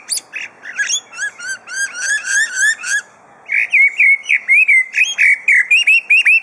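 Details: Mimicking superb lyrebird at Adelaide Zoo, Australia: a quick series of sharp, looping whistled phrases, a short pause, then loud ringing whistles repeated at an even, rapid pace.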